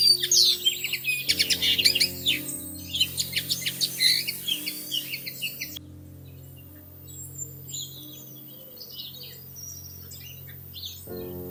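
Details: Bushtits at a nest in plum tree branches in early May: a rapid run of high, thin chips for about five seconds, then only scattered faint tweets over quiet, with steady low tones underneath.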